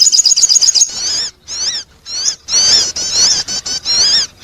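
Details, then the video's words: Sogon bird lure sound: a quick run of high, thin chirps, then several bursts of looping, warbled high-pitched whistles at about two per second. "the sound of the sogon bird attracting noise"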